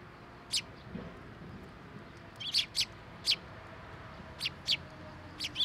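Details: Several sparrows arriving for food left on a post at a Tenmangu shrine, 10 October 2023; short, sharp, high chirps, scattered singly and in pairs, over quiet background hiss.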